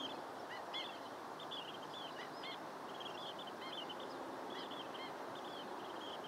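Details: Chattering long-billed dowitchers: quick, thin, slightly downslurred notes strung in irregular groups across the clip, backed by even hissing noise.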